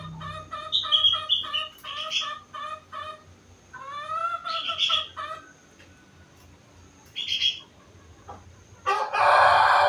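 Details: Four-month-old sooty-headed bulbul singing with rengganis and cucak wilis imitations: a fast run of clipped, rhythmic chirps, then upward-sweeping whistled notes, a bright buzzy burst, and a loud rushing noise at the end.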